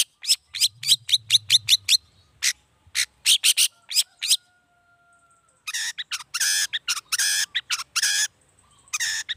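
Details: Long-tailed shrike singing, a lure for drawing answers from other shrikes at morning, midday and evening; fast runs of staccato chips, then a pause, then dense harsh rasping bursts mixed with sharp notes.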